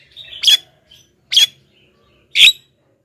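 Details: Javan myna giving three harsh, rasping, short high-pitched squawks about a second apart against a quiet background; morning calls used as a lure to draw wild mynas to respond.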